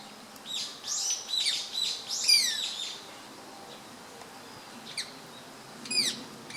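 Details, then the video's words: Female rose-ringed parakeet, subspecies manillensis, perched on a tree branch and apparently feeding, recorded 18 April 2015 with a camera; sharp, shrill downward-sweeping screeches given in a quick burst, then single shrieks after pauses. "ワカケホンセイインコ "Psittacula krameri manillensis" メスの鳴き声"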